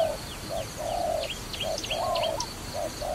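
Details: Trapping dove uttering rounded mellow coo notes, short and long mixed, about one per half second, with a busy backdrop of high, quick downslurred chirps from other birds.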